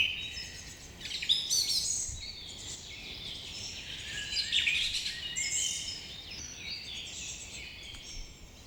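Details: Morning bird chorus: many birds chirping and twittering at once in high, overlapping trills and quick whistles, over a steady low background hiss.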